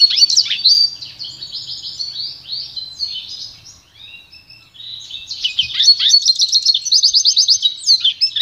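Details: Pintagol song for training: twittering and buzzy rolls, a quieter gap, then a fast rhythmic trill of evenly repeated high notes.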